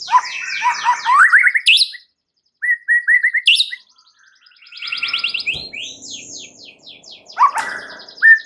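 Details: Lure song of a White-rumped shama meant to agitate other birds: dense, varied phrases of fast trills and slurred whistles, short repeated mid-pitched notes after a pause, and a loud click.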